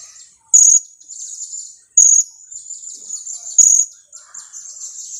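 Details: Two-week-old blue-crowned hanging parrot kept as a lure, calling kiak: three sharp, very high shrieks spaced about one and a half seconds apart, linked by softer buzzy high chatter.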